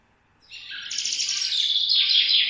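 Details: Parrot giving a loud, harsh, raspy screech that starts after half a second and runs unbroken for two seconds, growing louder and rougher toward the end, with a quiet background.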